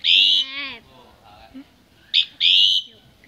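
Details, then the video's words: Common myna recorded at a family home over Tết 2018: a long shrill whistle over a low buzzy harmonic tone, a pause with faint soft notes, then a sharp chip and another piercing drawn-out whistle. "Tiếng hót chim Cưỡng"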